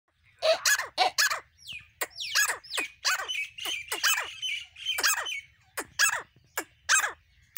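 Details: Female grey francolin, a local desi bird: a rapid run of harsh, squeaky, broadband notes, some sliding sharply downward, delivered in uneven bursts with short gaps, loud throughout and with no other clear sounds.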